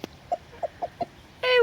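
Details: A rooster at a newly made sand bath, calling his hen, gives four short, soft clucks about every third of a second, then a louder, drawn-out harmonic note begins at the end.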